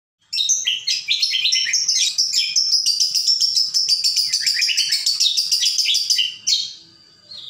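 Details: Leafbird (cucak kombo) in lively full song: a continuous, fast stream of varied high whistles, chirps and warbled phrases, rising and falling, lasting about six seconds before a short pause and a brief further phrase.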